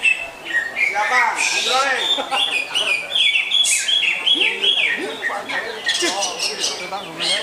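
Greater green leafbird pouring out a fast, varied medley of bright whistles, chirps and harsh squawks, with lower chattering notes, possibly other birds, underneath.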